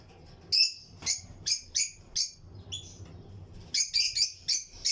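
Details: Paired Lutino lovebirds chirping in a colony flight aviary among other birds: sharp, shrill, high chirps spaced irregularly, then a quicker cluster of four or five near the end.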